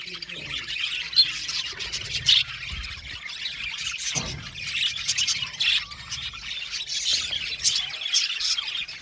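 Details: Softer budgerigar chatter: scattered high chirps and squeaky warbles from several birds, some louder spikes near one and two seconds, a low thud around four seconds, quieter chirping continuing afterward.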